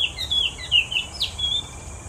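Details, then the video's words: Oriental magpie-robin singing in Singapore, one of a species said to have individually unique tunes: clear whistled notes around a steady pitch, short slurred phrases with a sharp downward sweep midway, over quiet background. "Bird Song: Compilation of ORIENTAL MAGPIE-ROBIN Singing"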